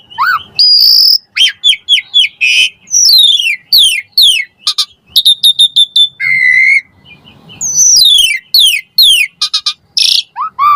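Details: Asian pied starling puffing up in a long varied song meant to coax silent starlings into singing: rapid mix of piercing downslurred whistles, stuttered clicks, harsh buzzy bursts and a low flat whistle, delivered almost without pause.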